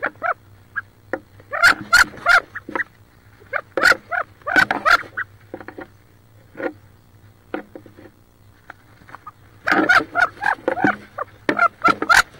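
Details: Wood duck (Aix sponsa) hens squabble inside a nest box near Richland, Washington, where one hen sits on about 18 eggs: harsh, squealing calls in ragged bursts, rising to loud flurries and easing off, over a low steady hum.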